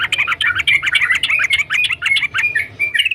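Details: Sooty-headed bulbul singing actively: a dense, continuous run of quick chirping and whistled notes over a steady background hiss.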